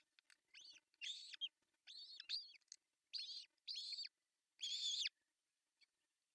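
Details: Osprey at an artificial nest in Finland on June 10, 2024, while the male brings a large fish for breakfast; a steady series of about seven piercing, arched chirps spaced roughly half a second apart.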